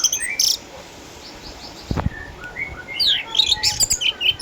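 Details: Eight-year-old caged orange-headed thrush in Sukabumi, a past champion now a house bird owing to cataracts, singing keenly. After a sharp opening burst and a quiet stretch with a soft thump, quick high twittering and whistled notes pour out.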